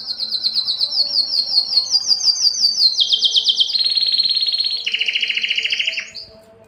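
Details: Male canary singing to arouse females for mating: a long chain of rapid trills stepping down in pitch section by section, each trill very fast and even, fading at the end.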